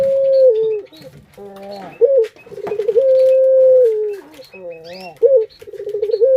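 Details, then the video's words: Kept Barbary dove used as a lure: long mellow level notes alternate with bursts of rapid rolled pulses and softer rising sounds, steady and clear in a quiet room. "Pancingan Burung Puter Paling Keren"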